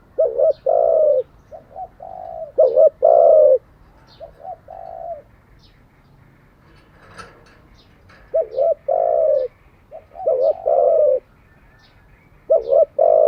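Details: Spotted dove cooing, used to train wild-caught and decoy doves daily: loud low hollow coos around 500–800, grouped in short phrases of a brief note then longer drawn coos, with pauses between phrases; faint high chirps from other birds.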